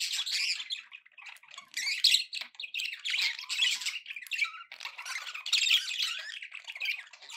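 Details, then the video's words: Happy pet budgerigars keep up nearly unbroken chatter of raspy warbles, squawky notes and high chirps, with one short pure whistle among them. "happy budgie sounds"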